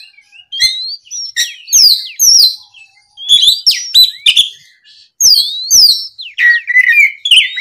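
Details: Loud varied Oriental magpie-robin song intended to draw a rival into answering: quick sweeping whistles, sharp clicks and downward-slurred notes in rapid phrases.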